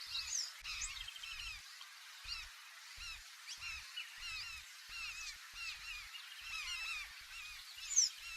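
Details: Recorded inside a canoe on the waves, a flock of large-billed terns gives a steady stream of harsh, chevron-shaped calls, with repeated low bumps from the boat and a sharp click near the end.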